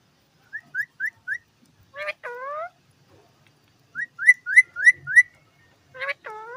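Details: Ringneck parrot talking: bursts of four to five quick whistled upslurred notes, each set followed by a drawn-out descending nasal phrase, repeated twice with silence between.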